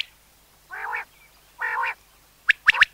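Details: A common quail, its calling used for quail hunting, gives two soft, nasal growling notes, then a quick, sharp three-note 'wet-my-lips' phrase.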